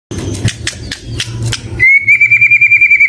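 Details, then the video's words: White-rumped shama producing scratchy clicks and rustles, then switching to a fast, even, pulsed whistled trill about a dozen beats per second. "Murai Batu Gacor dengan Suara Merdu"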